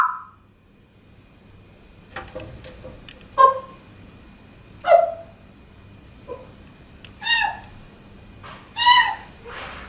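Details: Pet African grey parrot in a small room, talking and imitating sounds: short separate utterances and clicks spaced one to two seconds apart, some with clear whistled overtones.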